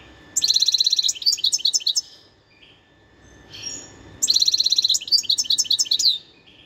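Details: Two spirited phrases from a wild European goldfinch, 2021, each opening with a rapid high rattle and running into tinkling, jumbled chirps. A short soft pause separates them.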